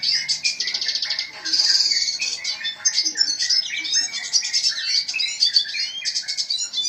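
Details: Vigorous 'gacor' song of a red siskin, a continuous stream of high, thin twitters, fast buzzy rattles and sweet chirps with no pauses.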